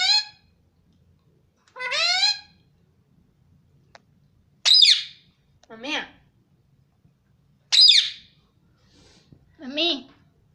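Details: Ringneck parrot talking indoors: high, rising word-like calls alternating with shrill sharp shrieks and lower swooping syllables, about one utterance every two to three seconds, with quiet gaps.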